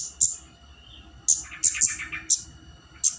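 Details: Flowerpecker calling to draw a rival, short bright ticks in a quick burst of three then spaced singles, with a brief jumbled chatter in the middle and low background hum.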